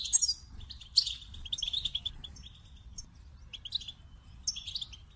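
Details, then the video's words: Scattered goldfinch song: brief high twitters and sharp chirps come in separate bursts, with quiet gaps between phrases. "The Captivating Call of Goldfinches"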